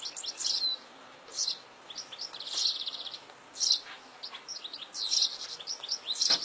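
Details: Wild European goldfinch in open fields, singing high tinkling twittering phrases and buzzy trills in short bursts, with steady background hiss.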